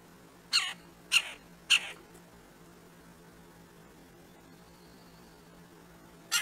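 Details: Two red-breasted woodpeckers at a squirrel feeder: three harsh, nasal, squealing calls about 0.6 seconds apart, then a pause and a fourth call, over a faint steady low hum.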